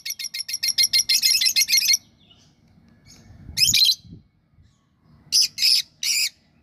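Lovebirds give a rapid series of shrill, harsh chirps for about two seconds, then sharp squawky bursts after pauses; faint low rumble underneath.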